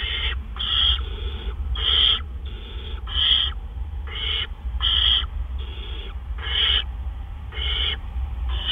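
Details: Great horned owl at its nest at 1:43 AM on April 10, 2013, during a gopher delivery. Hoarse, hissing screeches come in a regular series, about ten in nine seconds, over constant low background hum.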